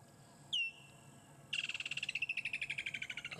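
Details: Woodland kingfisher calling near a waterhole at sunset in December: a single sharp high note, then a rapid descending trill of about twenty clipped notes, with a quiet background.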